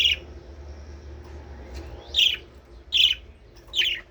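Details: Budgerigars heard to encourage mating: a few isolated, bright, clipped chirps spaced roughly a second apart, with quiet stretches between them and a faint hum beneath.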